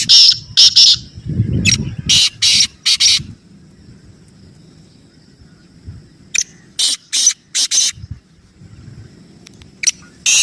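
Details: Repeated rasping, screechy black francolin notes come in uneven clusters of two to four harsh bursts separated by short silences, with a soft low murmur and rural background noise underneath.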